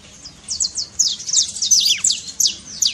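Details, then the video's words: Short saffron finch trill aimed at rousing a silent bird: a few high down-slurred notes, then a denser run of sharp chirps. "trincado pra foguea seu canário frio"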